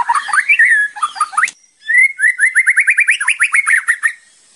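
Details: Murai batu, the white-rumped shama, singing for training with kretekan and tembakan: twisting warbled whistles, a short break, then a rapid rattling series of rising notes repeated about five per second.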